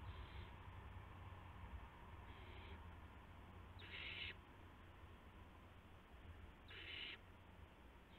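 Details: Owls at a nest around midnight on March 19, 2016, as adults bring a gopher and mice to the owlets; four harsh, breathy hissing bursts, each about half a second, spaced irregularly over low steady background hum.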